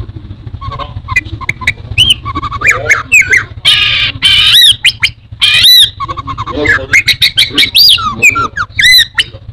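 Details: Orange-headed thrush, a favoured pet songbird in Indonesia, pours out a varied jumble of squeaky chips, harsh rasps and high ringing whistles nearly nonstop, with a faint low hum underneath.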